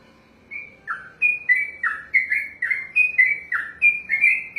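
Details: Contest-trained sooty-headed bulbul starting a 'ropelan' sequence: after a short silence, clear whistled notes follow one another rapidly, each sliding down then up, forming an even, chattering chain.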